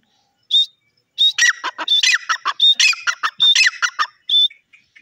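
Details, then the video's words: Grey francolin giving a loud, ringing call series: a high whistled note, then a run of harsh, clipped notes alternating with repeated whistles, about fifteen notes in four seconds, closing on a final whistle and soft trailing notes. "jungli teeter calling,grey francolin ki beautiful voice"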